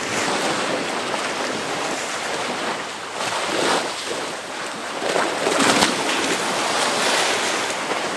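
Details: Waves and strong wind roar against the microphone, swelling and easing, with no animal calls audible.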